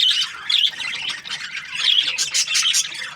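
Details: Budgerigars chattering: scratchy squawks and rapid chirps in short bursts, several birds overlapping, with a soft low hum in the background.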